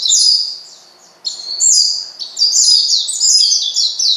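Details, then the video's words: Oriental white-eye calling a rival to provoke it: loud, high twittering phrases of rapid, sliding chirps with a brief pause after the first second, then dense overlapping notes. "pleci manggil lawan bikin lawan emosi dan edan"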